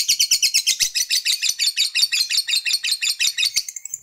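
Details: Lovebird fighter in the long ngekek style, sung to provoke rival males: a fast, dense chattering trill of high buzzy notes repeated about three times a second, running unbroken for four seconds.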